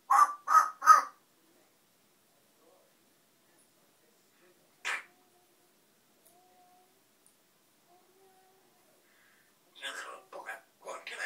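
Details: Noisy pet African grey parrot with three quick harsh calls, one short squawk after a long quiet stretch, then a jumble of rough, chattering notes at the end.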